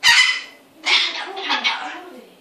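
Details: Cockatoo mimicry: a harsh, raspy broadband screech followed by a longer wavering, voice-like phrase with shifting tones, indoors.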